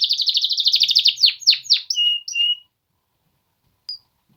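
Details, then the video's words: Song of Polish male canaries: a rapid trill of quick repeated notes leading into several falling whistles and two longer level whistled notes, then near silence with one brief chirp. "Polish male canaries singing"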